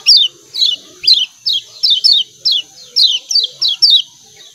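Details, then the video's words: Lemon-bellied white-eye on Lombok repeating its ciak ciak call: shrill downward-sweeping chirps, singly or in pairs, roughly twice a second, with quiet low chatter and a thin steady high tone underneath. "CIAK CIAK KECIAL KUNING SUPER AMPUH‼️BIKIN KECIAL SEHAT DAN RAJIN BUNYI"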